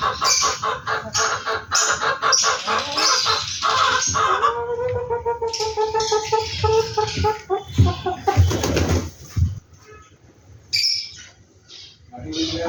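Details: A pair of roosters giving loud, rapid harsh clucks in quick runs, with drawn-out harmonic squawks midway and a burst of noisy scuffling or flapping, then a brief quieter pause before more clucking.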